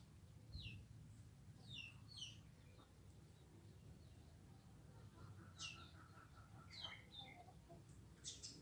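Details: Hundreds of swiftlets foraging in the morning, feeding on winged termites swarming out; faint, thin, high chirps, several sliding downward, scattered irregularly through the flock, with steady low background rumble.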